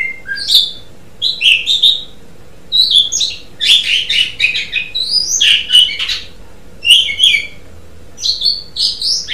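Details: Asian pied starling singing in gacor style: loud whistled and chattering phrases in bursts of about a second, separated by short pauses, with a faint steady low hum behind.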